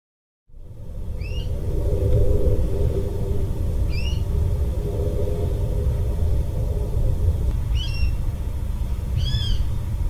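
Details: Water rail calling, recorded 24 December 2021: four short, sharp arched notes with a downward bend, spaced several seconds apart, over a heavy steady low rumble of wind or distant traffic.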